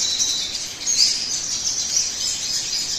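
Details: Crimson sunbird song used as a lure to get other birds singing: an unbroken stream of very high, sharp twitters and thin trills over the whole stretch, with a hissy background.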